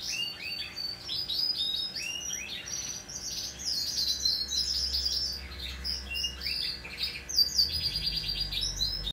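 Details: Hand-tame Pacific parrotlet recorded in late November 2021. A dense, continuous stream of high, rapid chirps and twitters overlaps throughout, with short bursts and trills and a low steady hum underneath.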